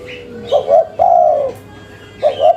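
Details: Spotted dove of local stock giving a lively cetrekan call, said to get an answer within five seconds: a pair of clipped notes, a drawn falling coo, then another short pair, with faint high chirping behind.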